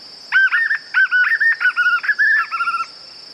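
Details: White-eared puffbird giving a rapid chain of short mid-pitched notes in clustered groups, ending in a quieter, faster trill, while a constant high thin hum runs underneath.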